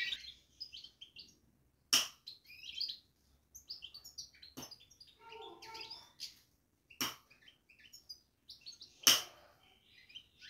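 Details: Caged European goldfinch babbling: rapid, high, scratchy twitters and short chirps broken by brief pauses, with several sharp, loud clicks or knocks cutting across the chatter.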